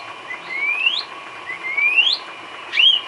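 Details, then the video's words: White-rumped shama isian song for training caged birds: long smoothly rising whistles, each sliding upward to a high peak, given about once a second over a steady background hiss. "Isian kicau burung murai batu"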